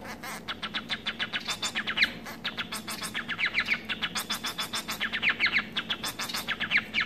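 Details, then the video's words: Society finch (domesticated form of the White-rumped Munia, Lonchura striata domestica, a pet bird) sings a fast, scratchy chatter of rapid clicking notes, some rising into bright squeaky phrases, running without a break over a faint low hum. "十姊妹/Society Finch"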